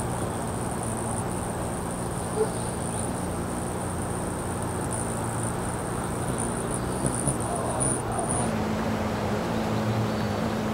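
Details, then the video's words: Hummingbirds hovering within inches of the microphone, wings beating about 30 times per second: a low steady droning hum under heavy broadband hiss, with a thin high whine running through. "Hummingbirds Humming"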